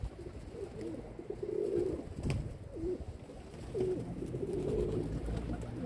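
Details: Domestic pigeons in their keeper's care produce a run of mellow, wavering coos, some drawn out, others clipped, spread across the clip over a continuous low hum.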